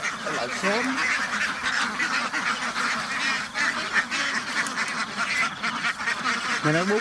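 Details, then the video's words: Farm ducks in a crowded house giving a loud, constant babble of harsh nasal quacks. A few drawn-out rising calls stand out at the start and end. "duck farm ducks house بطخ بطخوں کا فارم"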